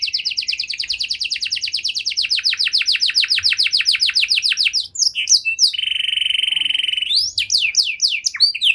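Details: Canary in long song used to provoke quiet canaries to sing: a long series of rapid descending notes, scattered sharp chirps, a steady whistled tone held about a second, then rising slurred notes.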